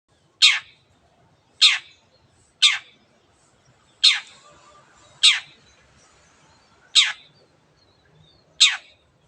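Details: Long-tailed shrike in vigorous 'teot teot' voice: seven loud, harsh, rasping notes sweeping downward, each short and explosive, spaced one to two seconds apart over a quiet background.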